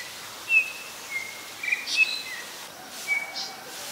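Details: Black-collared starling (Black-collared Myna) recorded at Ubon Ratchathani, Thailand, on 25 December 2019; scattered high whistled notes and short slurred chirps, widely spaced over a few seconds against a quiet outdoor background.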